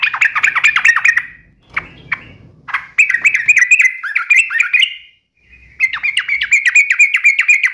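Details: Sooty-headed bulbul in lively 'uplik nembak ropel tajam' song. Fast runs of bright, chopped, whistled notes come in several phrases, with a brief quiet gap and a faint low rumble between them.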